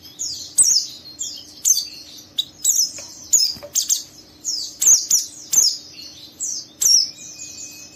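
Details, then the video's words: Rough ngeriwik chatter from a young, vocal oriental white-eye provoking a rival to join in. High, downslurred chirps repeat roughly every half second, mixed with sharp clicks, over a faint steady hum. "Burung Pleci Muda Gacor merangsang Pleci Bahan ikut Ngeriwik Sampai Buka paruh"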